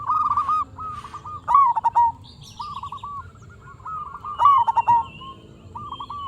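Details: Singing local zebra dove, used to lure and rouse other zebra doves: bursts of clipped, bubbling coos with a rolling finish, about three phrases in six seconds, and fainter cooing between them.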